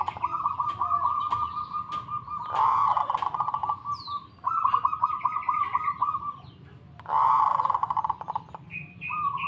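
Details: Local zebra dove singing keenly in reply: repeated runs of fast, beady coo notes at a steady mid pitch, in long phrases broken by short pauses. Sharp clicks and a brief high chirp are heard in the background.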